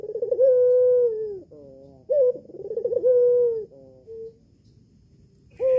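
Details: Home-kept red-eyed albino Barbary dove giving its lure call to prompt a male to respond. It repeats about every two seconds: a clipped note, a rippling roll and a sustained coo, each followed by a flat nasal drone.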